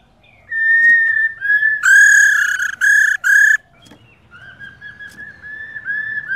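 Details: A female silver-eared laughingthrush, used to stimulate males to sing, gives a run of clear, slurred whistles, mostly level, with a few louder, ringing notes in the middle, over faint background hiss.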